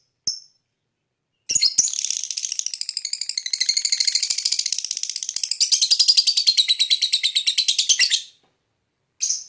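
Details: Lovebird in a long chirping bout said to stir other birds: a brief high chirp, a pause, then about seven seconds of rapid, rattling, high-pitched chirps in a continuous stream, then silence and one final chirp.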